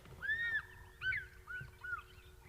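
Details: African fish eagle soaring on a thermal near a dam on a morning safari drive gives its ringing yelping call: a long arched note followed by three shorter clear notes, with a low steady engine hum beneath.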